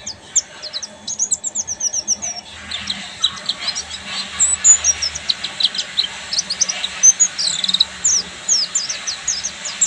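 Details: Oriental white-eye (buxtoni) in continuous ngeriwik singing: rapid, very high twittering that starts in quick trills and continues as a steady stream of sharp, thin chirps for ten seconds.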